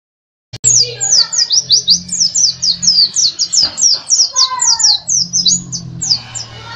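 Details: Bali dakun white-eye, a national champion contest bird, singing a loud, fast run of about twenty high, sharp, downslurred chirps with brief pauses, over a faint low hum.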